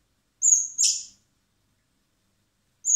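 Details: Common blackbird (Turdus merula) chicks, hand-fed in spring at a rescue centre before release, give a thin high whistle merging into a raspy begging squeak, then another whistle after silence.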